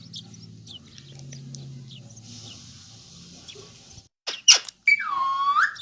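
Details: Talking ringneck parrot with soft, low murmuring and faint chatter, then a few sharp squeaky notes and a bright, warbled whistle-like phrase at the end.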